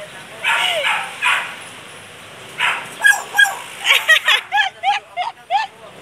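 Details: Bird copying a dog's bark during a dog's visit to the vet: a person calls out first, then comes a series of short, sharp, yelping bark-like notes, about twice a second.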